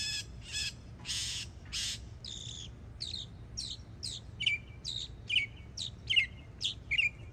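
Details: Florida yearling Northern mockingbird mixing harsh, hissing broadband notes with buzzy phrases, then a steady series of short chirped syllables repeated roughly every half second.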